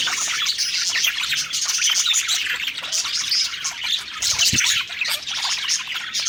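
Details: Several budgerigars singing happily while eating, a dense, continuous warbling chatter of quick chirps and squeaky notes, with many birds overlapping throughout.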